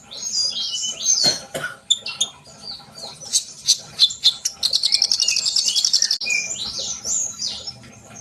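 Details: Lively sunbird singing to encourage young cage birds to sing: high warbled twitters, a burst of fast chattering trill in the middle, then more sweet high phrases.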